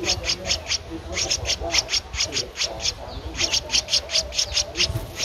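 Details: Thirteen-day-old Streak-eared Bulbul nestling recorded in Ubon Ratchathani, Thailand, 15 April 2023: rapid, insistent high scratchy chirps, roughly two to three per second, almost continuous with brief gaps, over a faint low hum.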